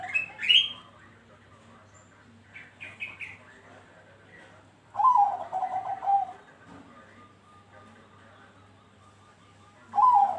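Zebra dove song: a quick run of soft, stuttering, rolling notes that falls slightly at the end. Brief higher chirps from other birds and a low steady hum are also heard.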